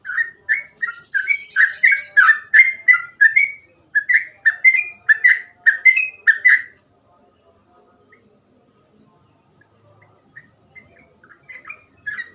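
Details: Gacor ropel song of a sooty-headed bulbul, phrasing described as easy to copy: a high thin trill, then a fast series of short, rich whistled notes for about seven seconds, then near silence with a few soft notes.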